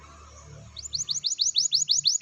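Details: Canary song used to prompt silent canaries to sing: after a quiet start with low hum, a series of about ten bright, rapidly repeated falling high notes in an even trill.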